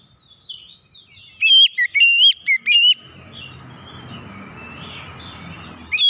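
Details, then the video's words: Oriental magpie-robin song used as a lure to get untrained birds singing: four or five clear, looping whistles in quick succession, followed by a few seconds of soft background rustle. "kicauan Kacer pemikat"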